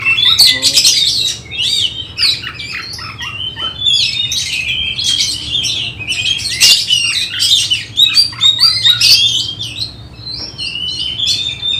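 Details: Oriental magpie-robin in training for a bird-song contest, hung at home, giving a dense, energetic song of harsh chattering bursts and whistled slurs repeated roughly twice per second, with a low hum beneath.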